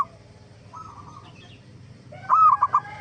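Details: Zebra dove (perkutut) lure song meant to make other zebra doves respond: a faint quiet coo early on, then one louder phrase of a smooth coo and three rapid soft notes, over low background hum.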